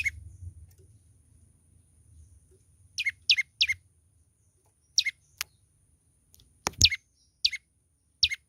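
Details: Young olive-backed tailorbird song after a quiet start: short piercing chirps dropping sharply in pitch, delivered in small clusters and single notes, with a couple of sharp clicks and soft low background rumble.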